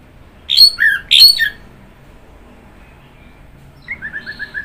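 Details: Orange-headed thrush (anis merah) song: two loud, bright whistled warbling phrases that slide downward, then after a quiet gap a soft run of five quick, even falling notes. No other sounds stand out.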